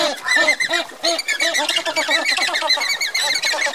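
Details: Andean flamingos marching in a group; steady, overlapping goose-like honks, short and repeated several times a second, from many birds calling together.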